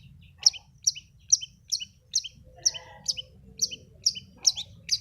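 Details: Long-tailed shrike (cendet) call used as a lure to make a quiet or stressed bird answer and sing: about ten sharp, high chirps, each roughly half a second apart, over a low background rumble.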